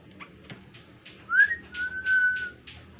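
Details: Kaso-kaso bird, an insect-eating bird, singing in lively gacor form as a lure to set other birds singing: soft clicking notes, then a rising whistle and a long level whistle, indoors.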